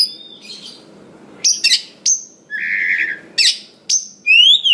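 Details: Wild-caught Oriental magpie-robin (kacer) with a rich song full of varied fill-in phrases, used to prompt other birds to sing: separated bursts of high sharp notes, a buzzy middle phrase and a final rising whistle, with faint background murmur.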